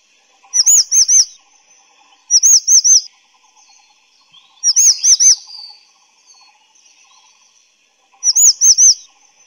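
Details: Grey-chinned minivet (Pericrocotus solaris), call.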